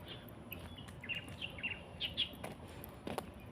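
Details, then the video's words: Birds calling in Gushan Museum Art Park on a weekend: a short run of faint high chirps, about six quick notes over a second, against a soft steady outdoor hiss. "Ang mga huni ng mga ibon. Maririnig mo."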